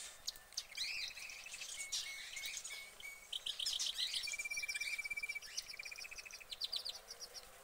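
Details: Canary in a cage singing more distantly: a mix of chirps, a steady metallic trill and scattered high notes over a background hiss.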